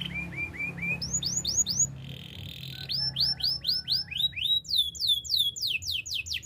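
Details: Canary training song with varied phrases: low repeated whistled slurs, a buzzy roll, then fast series of high descending sweeps that quicken toward the end, over faint low room noise.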